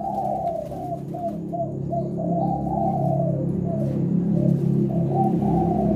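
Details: Actively singing spotted dove of the Leopard type, Indonesian kuk 6 song style: repeated soft coos, some slurred downward, continuing across the clip above a loud, constant low droning background.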